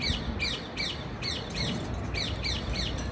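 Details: Parakeet chirping in a steady series of short, bright, downward-sweeping chirps roughly every 0.4 seconds over a low rumbling background.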